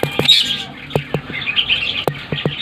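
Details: Home-bred ring-necked parakeet chicks: raspy, hoarse calls running almost continuously, with sharp clicking taps at intervals in the background.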